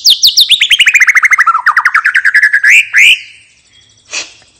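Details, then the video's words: White-rumped shama, a relaxed open-voiced song used to coax other birds into singing: a fast descending series of about twenty-five clipped whistled notes sliding downward, ending in an upward swoop and a brief chip. "suara murai batu ngeplong santai bikin burung bahan/macet cepat bunyi dan gacor lagi"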